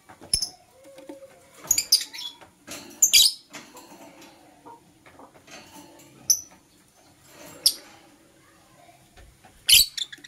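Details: Masked lovebird, green and blue colour form, chirping in the morning: clusters of scratchy, buzzy bursts alternate with isolated clear high notes and brief pauses.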